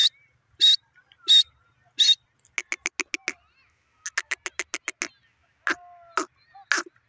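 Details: Grey francolin (teetar) giving loud, harsh, grating notes. Spaced single blasts alternate with quick rattling bursts of six to eight clipped notes, over a quiet background with faint whistled notes from other birds.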